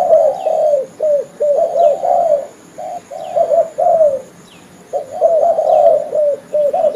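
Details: Spotted dove (derkuku, tekukur) lure call for trapping, a male calling its companions: bursts of throaty, wavering coos in grouped phrases, a pause of about a second, then another busy run of coos.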